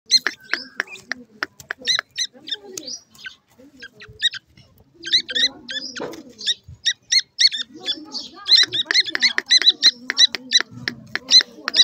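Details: Newly hatched grey francolin chicks in the chick season; rapid, high, thin peeping chirps repeated in quick runs, growing denser toward the end, with soft low murmurs and a brief human voice.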